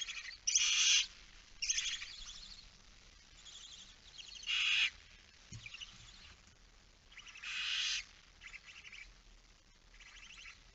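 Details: Barn owl young alone in the nest, evening of 9 September 2019. Breathy, grating screeches come in uneven bursts roughly every one to three seconds over a quiet background, with one faint low thump.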